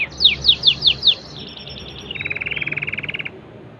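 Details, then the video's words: Standard cengkok canary song opening with rapid descending whistles, sliding into a thin sustained tone and then a long, even, rapid trill that stops abruptly. "canary singging_standart cengkok"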